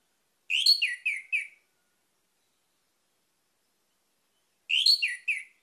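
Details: Orange-headed thrush singing, played to draw other birds into song: two clear phrases of quick, slurred, fluty notes, about four seconds apart, each a tumbling run of four or five notes.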